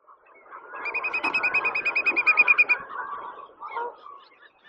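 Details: Fully feathered juvenile Sandwich tern throwing a tantrum, loudly begging from adults that ignore its demands. A rapid run of about fifteen squeaky, harmonic notes over two seconds, then softer scattered calls and background murmur.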